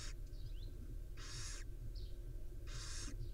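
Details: At a wild barn owl nest where the mother preens her five young, two broad rasping hiss bursts sound about a second and a half apart. Soft thin squeaks fall between them, over a constant low rumbling background.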